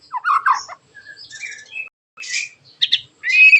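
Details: White-rumped shama giving sharp 'tembakan' song to draw other shamas into singing: short jumbled phrases of low warbles, buzzy rasps and a final high whistled note.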